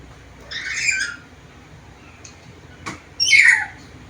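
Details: Black-capped lory in full voice, a bird able to talk and make varied sounds: two harsh, broadband squawks about two seconds apart, with a faint click between them over a quiet background.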